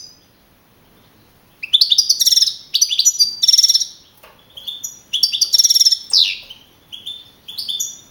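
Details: Young male European goldfinch of wild type, first-placed with 42 points at a Spanish goldfinch singing contest, April 2012. Brief pause, then loud rapid trilled twittering bursts and slurred high notes.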